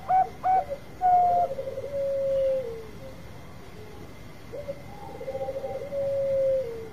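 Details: A zebra dove, Bangkok type, with a long song used as a lure for other birds: a few sharp opening notes, a fast rattling trill, then sustained falling coos, repeated twice across seven seconds.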